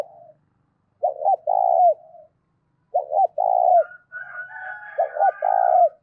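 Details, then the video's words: Spotted dove cooing clearly to rouse decoy doves. Rhythmic phrases repeat: two clipped notes, then a long rolling coo that drops at the end. Thin higher twittering from another bird joins partway through. "tiếng cu gáy kích bổi mỗi ngày giọng to rõ ít tạp âm"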